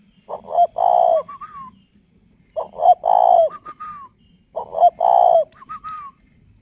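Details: Male spotted dove, a caged bird with a decoy bird nearby, still cooing at 10–11 p.m. at night under a flash light: three soft, hollow, burred coo phrases about two seconds apart, each ending on a higher drawn-out note; spotted dove.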